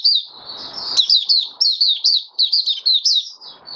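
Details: Caged oriental white-eye, 20 January 2022, in 'buka sing' open song five days after its monthly deworming. Steady stream of high, sweet, downslurred notes in short quick phrases, roughly three per second, over faint low rustling.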